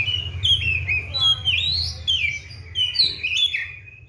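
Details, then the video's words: Caged Oriental magpie-robin singing vigorously. It is kept on seven crickets and bathed morning and evening. The song is loud, varied and whistled, with sliding rising and falling phrases that come in quick bursts. A low hum sits underneath. "KACER GACOR"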